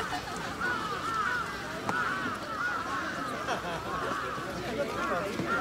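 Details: Grey crowned crane (Balearica regulorum) at Chiba Zoological Park, Japan, 20 October 2018, giving soft, arching honks repeated about every second over a steady murmur of people talking.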